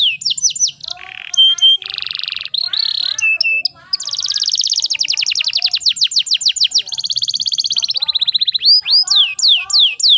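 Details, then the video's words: Canary offered as a breeding-condition hen whose sound provokes males to sing; varied tours of short trills and buzzy bursts, then a long rapid rattling trill sequence at about 200 notes per minute, ending in loud falling whistled sweeps. "PANCINGAN KENARI"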